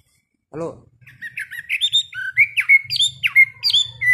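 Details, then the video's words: Caged hwamei during a daily fifteen-minute morning singing practice for hard-rack birds: one short low harsh note, then quick whistled slurs jumping between high and mid pitch, repeated roughly three times a second with a faint low hum beneath. "Luyện hót cho họa mi mỗi ngày 15 phút vào buổi sáng đối với chim chơi giàn cứng"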